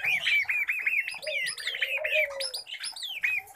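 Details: Pet common babblers call in a loud jumble of squeaky, looping whistled notes that rise and fall quickly. A lower, gliding whistle runs underneath through the middle.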